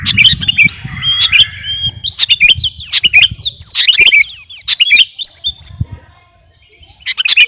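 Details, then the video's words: A captive sooty-headed bulbul of the garuda variety in energetic song, described as battle-ready. Tumbling chirps and sweeping whistles run for about five seconds, then fall nearly silent before a brief return. "KUTILANG GARUDA GACOR..!! SIAP TEMPUR KICAUAN"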